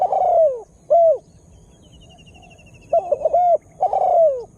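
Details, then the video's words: Spotted dove lure call meant to provoke wild birds; deep cooing notes, a long sliding coo then short ones, rough-edged and loud, with distant twittering birds. "Tekukur Dengan Daya Panggil Yg Unik Bikin Burung Liar jadi Emosi"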